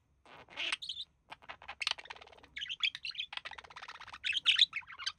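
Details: Caged couple of budgies resting as the male mimics human speech; rattling, buzzy syllables mixed with clear high chirps, delivered in a continuous rapid chatter.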